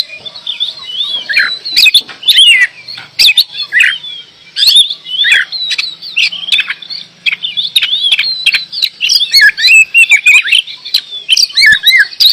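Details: Singing kacer (oriental magpie-robin) in full voice: dense bursts of twisting whistles, chatters and sharp ticks in rapid succession, with short pauses between phrases and a faint low hum.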